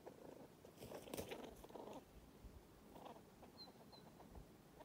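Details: Male common pheasants fighting at Palana, Flinders Island, Tasmania, on 7 June 2020. Low, harsh clucking bursts cluster over two seconds, then a softer burst follows near three seconds, with two faint high chirps from another bird.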